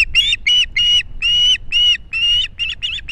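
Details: Osprey at a nest in Estonia, 2018: a run of about nine clear, harmonic whistled chirps, evenly spaced and a little slower than one per third of a second, with the last few notes shorter and closer together.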